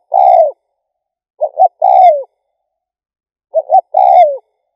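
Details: Spotted dove, calling to stir up rival doves: loud mellow phrases of two quick notes and a long falling coo, spaced about two seconds apart.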